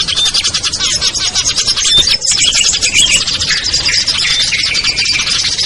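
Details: Lure recording of small birds, used to draw hard-to-lure birds such as prinias, bulbuls, sogon and tailorbirds down: a dense, continuous chorus of high, overlapping chirps, twitters and squeaks, busy throughout with no pauses.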